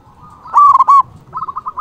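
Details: Local zebra dove song meant to call rivals: a brief loud, rich rolled coo followed by a quick run of softer staccato notes.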